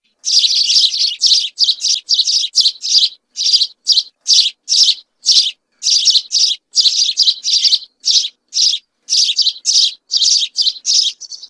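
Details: A group of house sparrows in clear, uninterrupted song: a steady stream of about thirty harsh, buzzy cheeps over eleven seconds, some delivered in quick clusters, with no background noise.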